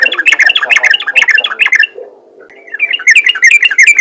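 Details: A trucukan, or yellow-vented bulbul, gives ropel-style song meant to draw other bulbuls into singing. Dense runs of bright, squawky chirps stop briefly near the middle, then pick up again in a steady rapid series.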